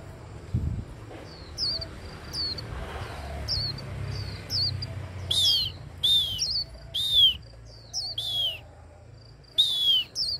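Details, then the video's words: Handheld Japanese white-eye stimulated into singing: faint high chirps at first, then louder sharp downslurred high notes repeated about every half second, with low background rumble. "Kích him khuyên líu"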